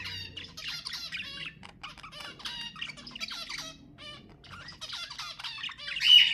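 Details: Budgerigar song played to get pet budgies singing: rapid, rolling chatter of buzzy harmonic notes in clustered phrases, ending in a loud high squawk.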